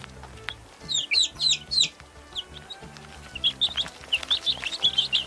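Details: Young chickens cheeping in irregular clusters of thin, high, slurred notes, fainter midway then picking up again, with background music playing throughout.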